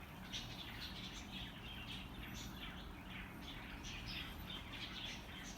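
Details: Budgerigars eating plants chatter with quick, scratchy chirps and warbles over a steady low rumble.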